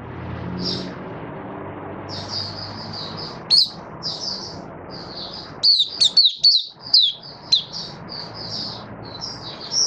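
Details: Mata puteh, the Oriental white-eye, a caged Malaysian bird in happy buka song, 27 February 2023: soft high warbled twitters building into a rapid string of sharp, loud, down-slurred whistles, with quiet background hum.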